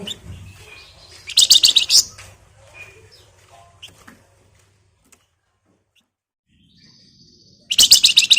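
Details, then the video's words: Singing flamboyan with close-packed ngebren rattles and shrill nyerecet notes, meant to lure other birds into song: a loud buzzy rattle near the start, a few quiet notes, a pause, then another harsh rapid burst. "Burung Flamboyan Gacor Ngebren Rapat Nyerecet Nyiul Cocok buat Pancingan"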